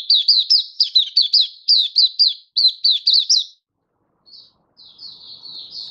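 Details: Oriental white-eye (mata puteh) kept as a hobby cage bird, singing on 24 February 2023: a fast run of high, chirpy slurred notes for about three and a half seconds, a pause, then a softer, thinner warbling trill.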